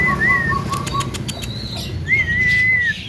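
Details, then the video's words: Young Javan myna giving a melodious full isian phrase: a series of short, evenly spaced whistles, then one long level whistle, over constant low background noise. "BURUNG JALAK KEBO MUDA BERSUARA MERDU FULL ISIAN"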